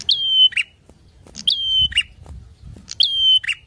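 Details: Provoking song of a loud bar-winged prinia: three evenly spaced phrases, each a high piercing note drawn out into a steady thin whistle and closed by a lower, raspy buzzing chirp.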